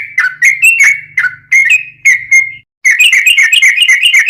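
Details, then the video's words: Yellow-vented bulbul song in the 'tembus-tembus' style with 'ngelituk' and straw-headed-bulbul-like fill, used for tutoring and luring caged bulbuls: bright clipped whistles over a faint low hum, then a brief gap and a quick chattering burst. "Trucuk Kicau istimewa Ropelan Tembus-tembus isian Ngelituk Cucak Rowo'an"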